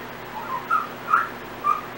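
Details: Pet female Timneh African grey parrot whistling part of a learned tune: four clear mid-pitched whistled notes, the second and third slightly higher, spaced about half a second apart, over quiet room hiss.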